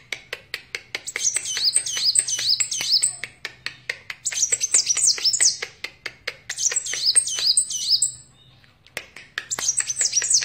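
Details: Kolibri wulung or kaca sunbird in full voice: bursts of high, rapid, zigzagging squeaky notes lasting one to two seconds, separated by pauses, with continual crisp ticking clicks underneath throughout.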